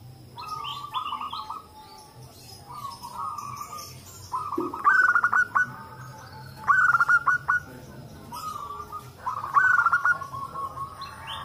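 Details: Several local zebra doves calling together and answering one another, used as a lure to get other doves singing: phrases of rapid, pulsed cooing notes, with sharper bursts of clicking trills overlapping every couple of seconds.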